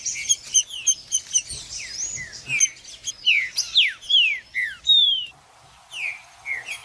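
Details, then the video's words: Green-winged saltator judas-type song for warming up a cold bird: rapid pulsed whistled notes, then a string of loud down-slurred whistles and a long clear falling note. "MELHOR VÍDEO PARA ESQUENTAR TRINCA FERRO FRIO 2024 TRINCA FERRO JUDAS"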